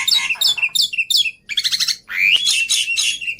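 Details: Black-winged starling song for luring and tutoring birds, rich in easily copied filler phrases: a run of repeated down-slurred squeaks, a brief gap, then rasping chatter and a rising whistled note.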